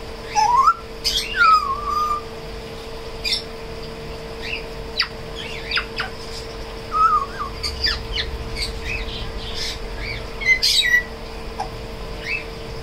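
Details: Tame African grey parrot kept at a Koramangala bird shop, attempting to talk and sing with bright whistled slurs, one rising then falling note early on, brief chirps and squawks, and a constant low hum behind.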